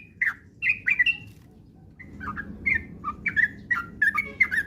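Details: Sooty-headed bulbul singing as a lure for rapid, frequent song: a few bubbly whistles, a short gap, then a faster run of warbled notes.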